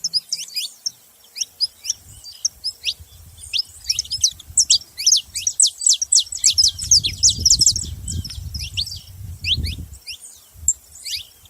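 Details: Saffron finch chirping steadily, with sharp, high, downward-slurred notes in quick clusters, over a continuous low rumble that swells in the middle.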